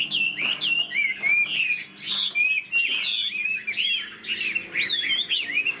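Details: Singing caged Chinese hwamei, its tail fanned and flicked, wings playing, produces bursts of sweet whistled notes and bending slurs in quick phrases separated by short breaks.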